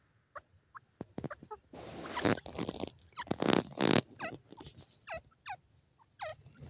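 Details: Grey francolin (teetar) calling: sharp, downward-sliding nasal notes repeated in quick series, interrupted by loud broadband rustling or handling noise in the middle.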